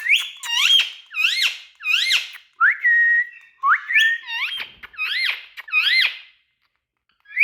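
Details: Talking Indian ringneck parakeet repeating a short harmonic-rich phrase about every three quarters of a second, each an upward sweep, with one longer level whistled note midway, clear and close.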